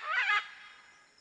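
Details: Short, hoarse squawk from a macaw in nature, lasting under half a second and fading quickly into quiet background hiss.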